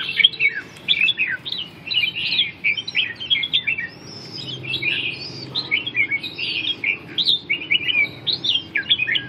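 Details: Red-whiskered bulbul (chào mào) shown in a 'ballet dance' display, singing a dense run of bright, warbling phrases with quick rising and falling slurred notes, delivered almost without pause; faint low background hum.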